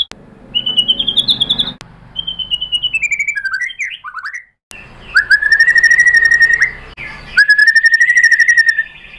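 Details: Shama (murai batu) song played to provoke birds into singing: several phrases of fast, regular buzzy trills at varying pitch, separated by clean short gaps, with a quick cluster of jumbled whistled notes in the middle.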